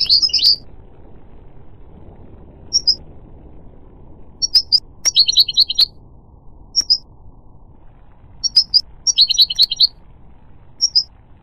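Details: Goldfinch giving sharp, high chirps and short buzzy twitter bursts, singly or in quick clusters every one to two seconds, with pauses between groups, over a faint low background hum.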